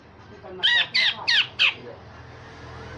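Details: Grey-cheeked bulbul giving four loud, harsh, buzzy notes in quick succession, part of a rough rasping, sharp-shot song played to train other songbirds.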